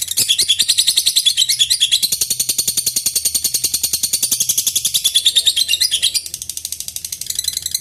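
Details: Long ngekek bout from a lovebird, used to goad rival birds into answering: dense, fast, high-pitched chattering pulses continue without pause, briefly dipping in loudness near the end before picking up again.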